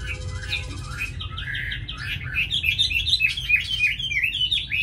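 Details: Tame caged Chinese hwamei from Hà Nội with a fine voice, singing loud, varied whistled phrases that climb and twist, fast warbled notes tumbling over one another, with a steady low hum underneath.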